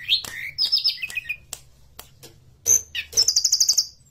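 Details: A forktail sings in a recording used as a lure to get birds singing. High chattering notes and a buzzy descending phrase are followed by a fast, even trill of very high piercing notes near the end.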